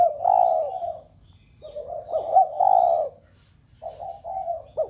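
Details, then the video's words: Spotted dove cooing to get other doves at home calling: drawn-out, hollow, slightly wavering coos in loose phrases separated by short silences. "Cu gáy gáy thúc cả bầy cu ở nhà gáy loạn. tiếng chim cu gáy kích bổi nhanh nổi nhất"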